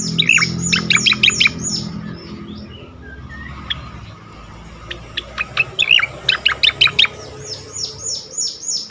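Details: Striated grassbird singing with sharp, quickly repeated chirps and slurred notes in short bursts, over a steady background hiss and low rumble.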